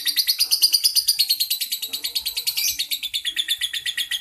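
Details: Champion lovebird in ngekek style, a continuous rattling chatter of fast repeated notes, harsh and high, pulsing steadily without a break through the whole stretch.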